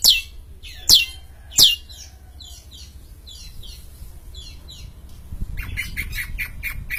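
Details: Champion long-tailed shrike in full song: three loud, sharp downward-sweeping notes in the first two seconds, then softer scratchy phrases and a fast chattering run near the end.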